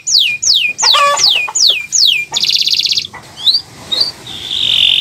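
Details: Canary song played to encourage birds to sing: several swooping downslurred whistles, a brief buzzy burst, then soft rising notes and a sustained thin tone.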